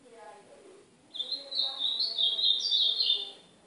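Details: Northeastern-style ultramarine grosbeak song used as a training lesson for a pet golinha. Faint low murmuring comes first, then at about one second a rapid, high, sweet warble flows for over two seconds before fading.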